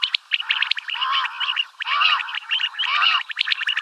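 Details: A pet common quail calls, repeating a short, liquid, arching phrase about once a second over a busy layer of high chirps and twitters.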